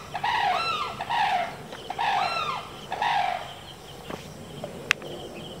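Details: Sarus cranes give loud, harsh trumpeting calls in four bursts about a second apart, then fall quiet apart from a sharp click and steady background hiss.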